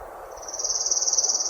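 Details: Palm Warbler in spring on the Orono Bog Boardwalk, Bangor City Forest, Maine, gives a loose, rattly, high, thin trill of rapidly repeated notes, about twenty a second, over a faint low hum.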